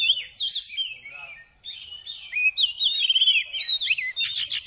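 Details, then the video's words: Oriental magpie-robin (kacer) singing to raise excitement in listening birds. Smooth whistled phrases with fast warbles are followed by a brief dip. Then comes a busier trilled passage ending in harsh high notes. "TERAPI KACER CEPAT NAIK EMOSI"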